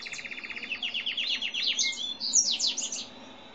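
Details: Grey and white canary without a defined breed singing, recorded while a seedeater sang a lot: a steady fast rattle of short notes speeding up into downward sweeps, then high bright chirps and a fading close.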